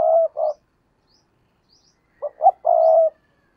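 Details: Decoy spotted dove, kept to lure wild doves, ends one cooing phrase and then after a pause delivers a full one: two clipped notes rising into a sustained mellow coo. Faint high chirps sound in the background.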